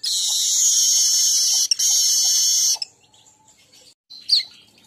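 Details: Weaver song used to lure weavers: a loud, dense, high buzzing sizzle lasting nearly three seconds with one brief break, then quiet and a single sharp chirp.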